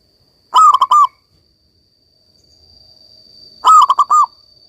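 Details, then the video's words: Zebra dove of a local strain in full song, used to restore singing in silent doves: two pulsed cooing phrases about three seconds apart, with a faint steady high tone behind. "perkutut lokal gacor ini cocok buat terapi perkutut kalian yang lagi macet bunyi agar kembali gacor"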